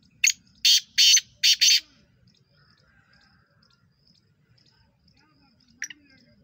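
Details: Recorded 23 September 2023, a black francolin opens with a grating five-note call: a quick clipped note, then drawn-out, scratchy, paired syllables. After a long quiet stretch a single faint note follows.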